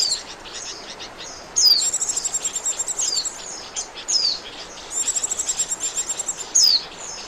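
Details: Trapping lure of Oriental white-eye: sharp descending high whistles alternating with long runs of fast, evenly pulsed high trills, repeated several times over constant hiss.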